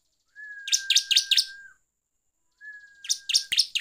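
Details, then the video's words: Lure song of a Bar-winged prinia, meant to provoke rival prinias: two phrases of four rapid, rasping chirps, each riding over a faint, even whistle, with a short silence between phrases. "PANCINGAN CIBLEK GACOR NGEPLONG BIKIN EMOSI"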